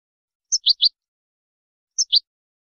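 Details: Goldfinch song for teaching, two short high clusters of crisp chirped notes, three then two, separated by a second and a half of silence.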